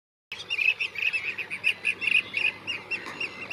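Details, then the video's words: A blue-cheeked bee-eater gives a fast run of short, rolling mid-pitched chirps, about four or five each second, with a faint background hiss. "Blue cheeked bee eater Bird"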